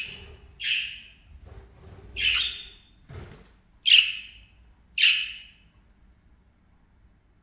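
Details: Parakeets playing and chattering give five short, raspy squawks spaced roughly a second or more apart, each sharp at onset and quickly fading, with a soft rustle between calls.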